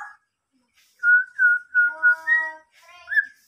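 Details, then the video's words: A tame local black-naped oriole, singing actively, gives a police-siren-like call: four clear, fluty whistles about half a second apart, then a short rising note. "kepodang lokal berbunyi mobil polisi"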